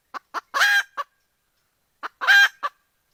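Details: A hen calls out looking for a rooster. Short clipped clucks lead into a loud strained squawk. The pattern repeats a second later: clucks, then another rasping cry, then a final cluck.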